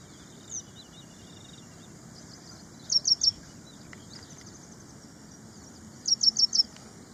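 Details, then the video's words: Ashy prinia, locally prenjak india: two short bursts of three or four high, clipped chirps about three seconds apart, with faint softer notes and steady hiss between them. "Suara Burung Prenjak India | Ashy Prinia | Suaranya Pedas"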